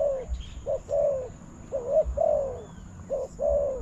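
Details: Spotted dove coo at a bird-trapping decoy setup with a newly opened enclosure; three paired phrases, each a clipped note then a smooth falling coo, plus faint distant chirps.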